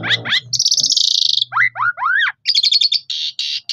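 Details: Asian pied starling singing a varied, lively song used to prompt other starlings to sing: a buzzy burst, then rising, looping whistled slurs and rapid trilled chatter in quick succession; recorded on a phone.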